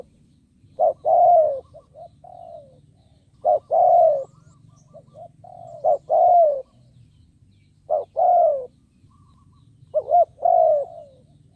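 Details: Decoy spotted dove calling to draw in wild doves, repeating a short note plus long falling coo about every two and a half seconds, interspersed with softer quiet coos over a low droning hum.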